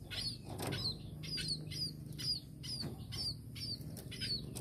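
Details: Chirping from a tame munia: thin, high, slightly descending notes repeated roughly every half second, mixed with sharp clicks and fluttering wing sounds over a steady low hum.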